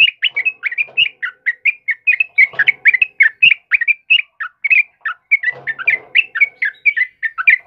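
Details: Continuous bubbly whistling from a chatty sooty-headed bulbul, used to train and lure cage birds; short warbled notes follow each other several per second, with brief patches of low background chatter.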